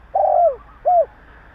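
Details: Fragment of a spotted dove's provoking call from Vietnam, aimed at other doves: a long, smooth downward-sliding croon followed by one short rounded coo, with a quiet background.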